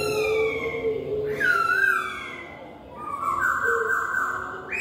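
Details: Laughingthrush (poksay) singing loud, clear whistles with sustained notes and a dipping slur, followed by a long level whistle that ends in an abrupt upward jump. Other laughingthrushes are said to answer.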